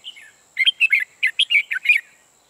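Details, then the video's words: Red-whiskered bulbul used as a trapping decoy sings a lively two-second string of about ten bright, chirpy notes, rising and dipping rapidly, after a soft opening note. "Bẫy chào mào Mồi mới ché ngất người"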